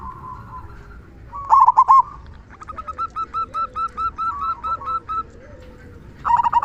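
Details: Zebra dove of local stock singing its big 'kung' voice as a lure to prompt silent doves to sing: a sharp stuttered opening, then a long run of evenly spaced soft coo notes, with a fainter lower cooing behind.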